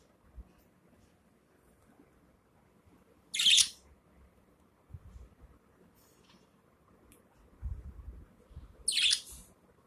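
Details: Pet budgerigar giving an unusual sneeze, possibly with something inside: two short, sharp, hissy bursts about five seconds apart, with faint low thumps and rustling in between.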